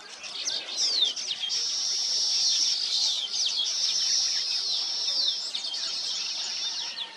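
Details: Chorus of nesting weavers, long buzzy trills held for seconds with sharp descending chips and chatter layered over them.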